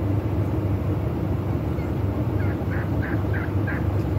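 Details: Breeding-display wild turkey giving four short, throaty notes in quick succession late on, against a continuous low droning noise.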